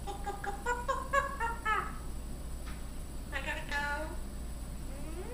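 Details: Solomon Island eclectus parrot singing "You Are My Sunshine" indoors: a string of evenly spaced harmonic sung notes over about two seconds, a pause, then a wavering, speech-like phrase, with low room hum throughout.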